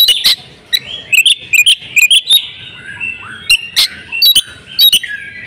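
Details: Female oriental magpie-robin in breeding condition, calling to lure males into singing: sharp high chips and short whistled notes in irregular bursts, with a thin sustained whistle running between them.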